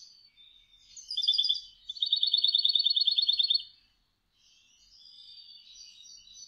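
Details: European goldfinch song played back, a cascabel phrase named for its bell-like tone: a short buzzy twitter, then a fast, even trill of bright repeated notes lasting nearly two seconds, followed by soft twittering.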